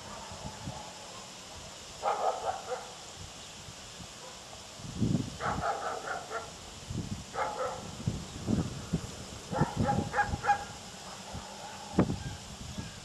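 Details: Limpkin at Villa de Soto, Córdoba, Argentina, in May 2012: loud, harsh, harmonic bursts of calling at intervals of about two to three seconds, over low thumping noises and a steady background hiss.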